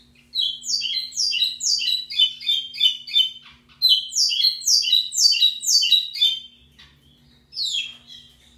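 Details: Local pico plat, the lined seedeater, singing loudly in two bursts of rapid, high, downward-slurred buzzy notes with rattling trills between them. A short pause comes before a final phrase, over a low steady hum.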